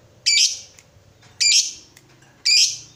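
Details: Fighter lovebird calling as a lure for other lovebirds to sing ngekek: three loud, raspy, high squawks, each about a quarter second long, spaced about a second apart, over a low murmuring background.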